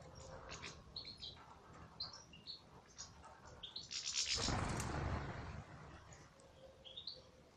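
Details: European goldfinch kept in an aviary. Short, high chirps and twitters come in quick succession, with a loud rushing, fluttering burst midway. The chirping then continues sparsely over a constant low hum.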